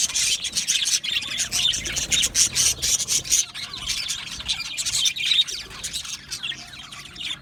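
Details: Group of budgies in an aviary, bursts of rapid high chirps and warbles from several birds, busier at first and then easing into softer chatter.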